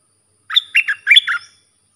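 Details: Song of a sooty-headed bulbul meant for teaching young birds: one quick phrase of five bubbly, falling notes, clean and unaccompanied.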